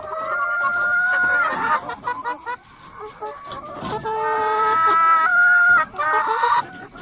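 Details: Coop hens give long, level, nasal calls held for about a second each, with choppy clucks between them and a brief pause near the end. A thin steady whine runs underneath.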